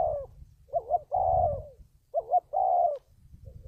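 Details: Spotted dove lure call for trapping: two phrases of quick paired notes then a drawn-out coo, over steady low rumbling background noise.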